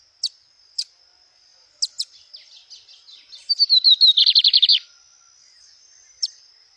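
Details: A wild lined seedeater singing in nature: high, sharp chips, then a fast descending run of buzzy notes ending in a rapid, loud trill.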